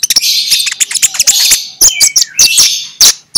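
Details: Magpie-robin, 'ngeplong' song style, a morning lure for reluctant magpie-robins: dense loud warbling with quick whistled notes and sharp snapping clicks, then a falling whistle and short ringing bursts.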